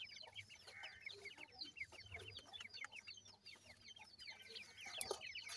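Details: Grey francolin chicks seven days old, feeding, give a lively overlapping chorus of thin high peeps and chirps, steady throughout, with a sharp click near the end.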